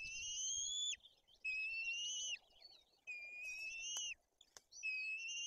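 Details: At a nest in Poland's Bory Tucholskie forest, white-tailed eagles: an adult feeds two chicks with fish, the older chick aggressive. Four high, sustained whistles, each gently rising then falling off sharply, repeated about every one and a half seconds.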